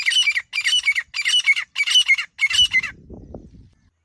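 Grey francolin giving five loud, harsh squawking notes about every half second, each rasping and high-pitched, followed by a faint low rumble.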